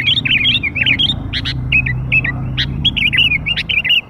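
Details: Sooty-headed bulbul, lure for young birds: short whistled, warbling phrases broken by sharp single chirps, in an uneven rhythm over a faint low hum.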